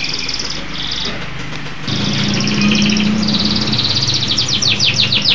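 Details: Local canary singing vigorously in rapid trills and rolls that speed into rising chips at the end. A steady low hum enters partway through.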